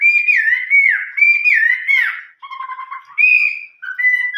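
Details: Chinese hwamei delivering old-forest voice song ('giọng rùng già'): looping, slurred whistled notes repeated about twice a second, then a low buzzy trill and further bright whistles.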